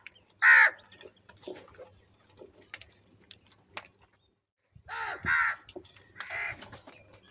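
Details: Crow crying continuously while feeding and fighting, giving a loud harsh caw, then after a pause a pair of hoarse caws and a weaker third, with soft rustles between.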